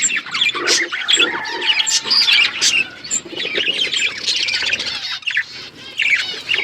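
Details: Chirping budgerigar flock in an outdoor aviary, a steady stream of bright, buzzy warbles and sharp tweets from many birds, briefly thinning before picking up again.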